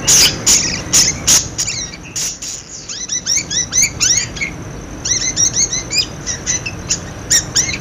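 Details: Budgerigar calling used to coax quiet budgerigars into voice: a few sharp squawks, then series of rapid rising and falling chirps in quick runs, with brief pauses.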